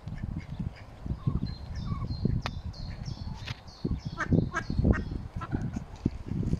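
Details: Nine mallard ducklings taking their first swim with their parents at Smithspool, Fenton, Stoke-on-Trent, on 15 April 2022, peeping thin, high, slightly downslurred notes, several a second, over heavy splashing and rumbling water.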